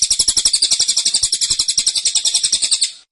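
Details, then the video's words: High, rapid, closely packed notes from a caged cililin in tembakan style, about four per second, steady for three seconds before stopping. "Tembakan Cililin Suara Rapat Dan Ngotot"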